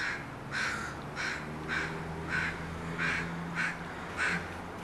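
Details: Crows making a racket at a house give a steady run of seven harsh caws, roughly evenly spaced, over a low background hum.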